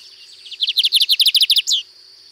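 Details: Lined seedeater from a rural property in Cunha, Brazil, singing a distinctive song: a fast run of about a dozen crisp high buzzy notes ending in one falling slurred whistle, with steady insect hum behind.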